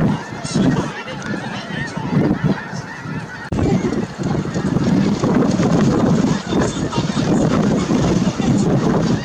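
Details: Snow geese gathered at Merced National Wildlife Refuge in January, a massed flock keeping up a continuous roar of honks that swells louder midway, with wind buffeting the microphone.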